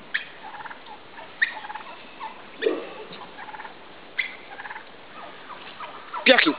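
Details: Midget White turkeys during mating, tom dancing for a receptive hen; bursts of clucking and chattering notes recur every second or so, ending in a louder harsh rasping burst.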